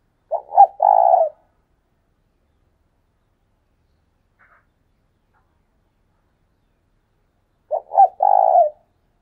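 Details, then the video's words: Spotted dove kept as a decoy and calling strongly gives two low three-part coos about seven seconds apart. Each is two brief notes leading into a prolonged, pulsing croon. A faint tiny chirp falls in the long silent gap. "Chim cu mồi thúc sung"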